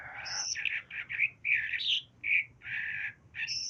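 A hill myna talks in a run of harsh, word-like syllables of uneven length, mixed with high, clear whistles. A soft background hum runs underneath.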